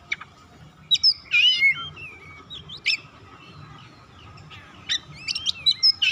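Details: Oriental magpie-robin singing to stimulate other birds to sing. A burst of twisting whistles, then a single sharp note and a quiet stretch, then quick chips and a high whistle at the end. A faint steady hum runs underneath.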